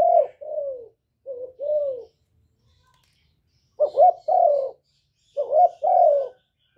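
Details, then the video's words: Loud spotted dove song used to rouse captive doves into cooing: two groups of soft, low, hollow coos separated by a silent gap, each group a short warbled note followed by a longer falling one. "Cu gáy lớn tiếng, không tạp âm, giọng hay dễ mở, cu gáy kích bổi"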